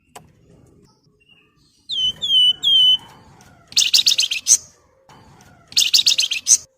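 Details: Flamboyan in full, lively song, used to provoke other birds into singing: three clear down-slurred whistles in quick succession, then two long bursts of harsh, high, rattling chatter separated by a brief quiet pause.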